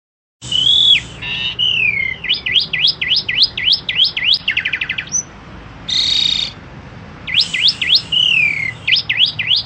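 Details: Asian pied starling (jalak suren), a bird kept by songbird fanciers in Indonesia, singing lively: a varied, loud medley of rapid up-and-down whistled slurs, a rattling buzzy burst, a harsh noisy note and drawn-out descending whistles.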